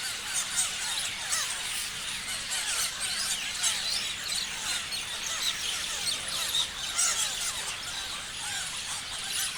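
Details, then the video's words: Parrots chirp together in a thick, constant chorus of overlapping high squeaks and twitters, with louder shrill squeals popping up every second or so. "Parrots chirping sounds"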